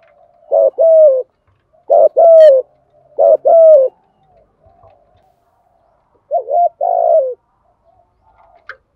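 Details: Spotted doves, male and female, cooing in the style called thổ thúc, likened to an industrial sewing machine and used to stir other doves to call. Low cooing phrases, each a short note followed by two longer coos, four phrases with a pause.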